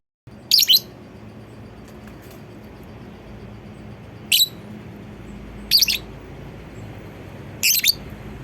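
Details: Lovebird calling to prompt other lovebirds to sing: four quick, harsh, high chirps, some doubled, spread irregularly over eight seconds against a steady low room hum.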